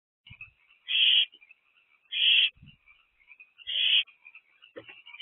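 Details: Nest-box owls early on a busy night, 23 April 2024, around 8 pm: three loud, noisy hissing screeches about a second and a half apart, with soft high chittering running steadily underneath.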